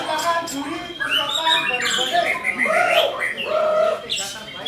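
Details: White-rumped shama (murai batu) singing intensely: clear fluty whistled notes, some held and gently curving, mixed with short chirps and a thin high whistle, in a lively varied sequence.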